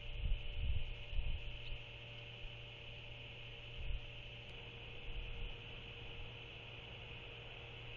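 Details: Steady hiss and low hum with a few dull wind thumps near the start, and no calls.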